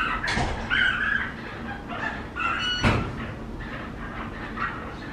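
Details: Rescued flamingo chick, abandoned in a drought and now in a rehabilitation centre, begging while being fed formula: thin, high squeaky peeps in short uneven bursts over a steady hum and handling noise, with one sharp click midway.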